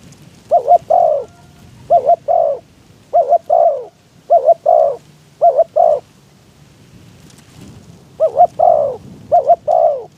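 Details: Spotted dove used as a decoy in a trapping pen to lure wild doves, recorded in strong wind. About seven coo phrases, each two quick mellow notes followed by a longer falling coo, in irregular succession over low rumbling wind.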